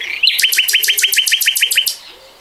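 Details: Nightingale song from 2020: a soft rising note, then about a dozen loud identical upward-flicked notes in a rapid even series lasting under two seconds.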